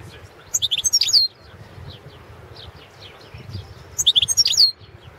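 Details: Competition recording of a European goldfinch, Balkan subspecies carduelis balcanica, entered in a Serbian-run world championship of goldfinch song; quick twittering phrases of high chirps ending in a slurred whistle, repeated twice about three seconds apart over a soft hum.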